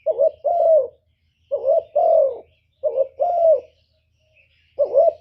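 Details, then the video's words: Decoy spotted dove calling to lure wild doves: four paired coos, a quick quavering note and then a fuller, downward-sliding one, spaced roughly 1.5 seconds apart, with a faint low hum. "CU gáy Mồi Cực hay hạp bổi thúc gù bổi ghét, tiếng chim cu cườm, cu đất"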